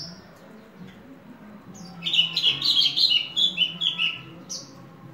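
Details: Horsfield's bush lark, a ringed hobby bird, silent at first, then a lively two-second stream of rapid chirping, twittering notes, then a single higher note.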